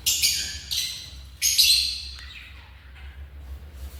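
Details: African lovebird squawking in harsh, buzzy bursts, two loud calls then fainter chirps over a steady low hum.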